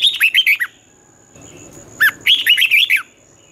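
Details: Red-whiskered bulbul morning song for training young birds: two quick runs of sweet, rolling, up-and-down notes separated by a brief rustling gap, with a thin constant high tone in the background.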